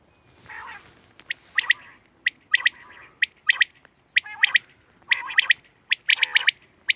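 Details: Quail call from 31/3/2024: a soft rasping note, then clusters of sharp bright pips in twos and threes, repeating roughly once a second.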